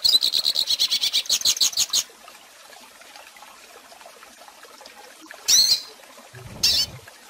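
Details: Goldfinch song from a recording for teaching young birds: two seconds of rapid, high, pulsed chirping, then quiet broken by two short bright bursts.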